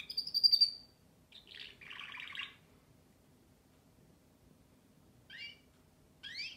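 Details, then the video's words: Canary giving a clear high whistled note, then a buzzy rolling trill, followed by silence and two quick rising chirps. "śpiew kanarka"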